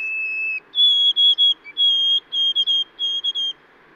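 White-throated Sparrow song: a long pure whistle, then a higher note repeated in quick triplets, like 'oh sweet Canada, Canada, Canada'.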